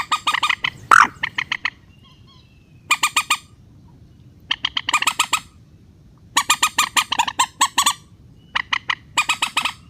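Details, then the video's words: Rail call in a relaxed style, played as a lure for netting birds: bursts of harsh, clipped squawking notes repeated rapidly in runs of several, separated by short pauses, over a low steady background hum. "PIKAT BURUNG MANDAR SUARA SANTAI"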